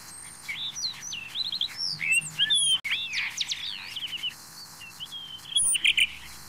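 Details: Blue rock thrush (Monticola solitarius), possibly the blue-bellied Taiwan subspecies pandoo, singing a quick, varied run of sweet whistled and chirping phrases, rising and falling, with a few faint background clicks.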